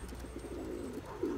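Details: Another male Turkish tumbler pigeon chases his female, wanting offspring; a continuous low, rolling coo pulses steadily through the clip, rising into a brighter burst at the end.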